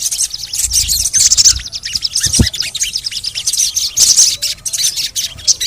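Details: Dense high chattering of a sogon, used as a lure to make reluctant sogon birds sing. Quick chirps and buzzy bursts run almost continuously, with one brief low thump.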